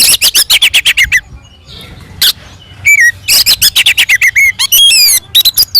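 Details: Oriental magpie-robin delivering aggressive fighting song to provoke other birds: rapid repeated sharp chips in quick series, a pause, then slurred whistles and dense chattering bursts.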